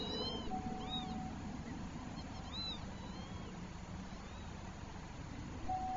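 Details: Northern lapwing pair distressed about their chick, driving it away from herons: several faint wheezy arched calls, rising then falling, scattered over six seconds above steady low rumbling background noise.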